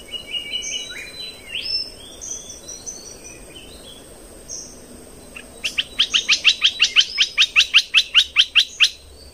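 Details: Red-whiskered bulbul lure song for caged birds, played to train young birds and excite birds: short whistled phrases at first, then from mid-clip a fast run of about fifteen sharp, evenly repeated notes over a steady background hiss.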